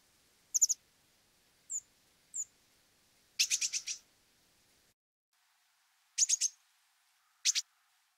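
Blue Tit calls: high, thin tsee notes and short scolding churring bursts, given in irregular clusters with quiet gaps between.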